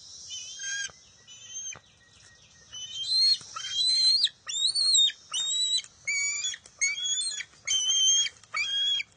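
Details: At a wild nest on June 23, 2021, a bald eagle eaglet refuses to share a fish, which its mother grabs and it steals back. Shrill, strained, squealing cries repeat roughly once a second, each rich in harmonics.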